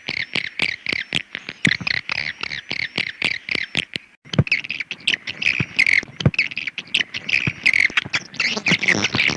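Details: Swiftlet calling: rapid clicks and short buzzy chirps in a loose, irregular series, becoming a denser, rougher chatter in the last seconds.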